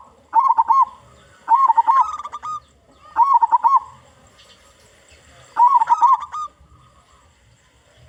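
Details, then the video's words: Loud local zebra dove song used to lure other zebra doves: four bubbling, rolling coo phrases, each ending in a slightly higher held note, separated by quiet gaps of about one to two seconds. "Perkutut Lokal Gacor Suara Besar"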